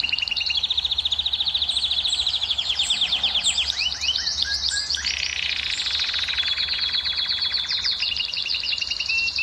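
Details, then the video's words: ['Canary song meant to excite females and encourage breeding: long continuous high trills and rolling tours, changing pitch and speed every second or two, bright and rapid throughout.'] "أفضل صوت لتهييج إناث الكناري وحثهم على الزواج"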